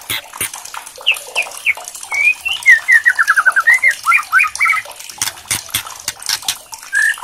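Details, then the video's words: White-rumped shama, murai batu, singing loudly when stirred by a challenge recording, with crackling kretekan: sharp clicking bursts around rapid descending whistled notes and slurred phrases, ending in a lone lower whistle. "MURAI BATU GACOR, EMOSI BONGKAR ISIAN - KRETEKAN MURAI KERAS"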